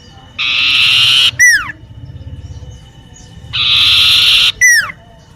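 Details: Common iora singing in a garden near a home, repeating a phrase twice: a dry, buzzy, one-second trill, then a short, sharp, downslurred whistle. There is a soft low rumble between the phrases.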